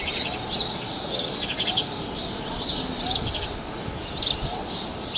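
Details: Chirping house sparrows recorded at Praia de Pipa, Tibau do Sul, Brazil: irregular high chirps above a loud continuous hiss and faint low murmurs.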